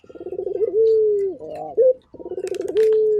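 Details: Turtle dove of a local puter strain in full voice. Quick throbbing pulses lead into a sustained, slightly falling coo that ends in a brief upturned note. Faint higher chirps sound near the end.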